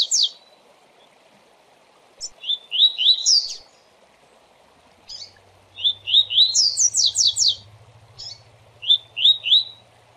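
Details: Coleiro training song in the fast Tui Tui style: single sharp chips, then trios of rising whistles running into quick descending high strokes, repeated across the phrase, with a faint low hum mid-way and steady background hiss.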